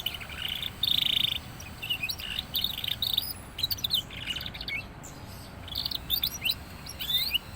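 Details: Young canary, described as just starting to sing vigorously; clear high chirps and short trilled phrases in quick bursts, some rising notes, against a low steady background hum.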